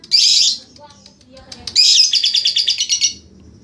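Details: A lovebird gives one harsh high burst, a short pause with faint clicks, then a rapidly pulsed buzzy ngekek trill lasting over a second.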